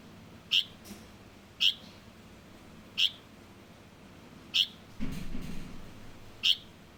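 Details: Light-vented bulbul juvenile repeating sharp high chip notes every one to one and a half seconds, with a brief low rustling noise midway.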